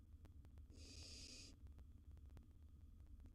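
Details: Wild baby barn owl at its nest box with prey gerbil: one faint, breathy hissing screech of under a second, with light ticking sounds around it.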